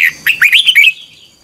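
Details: Morning training song of a Red-whiskered bulbul, sung in the twisting double-voice style, from 2021 and meant as a lure-bird tutor sound. One short phrase of bright, slurred whistles climbs and wavers, then ends abruptly.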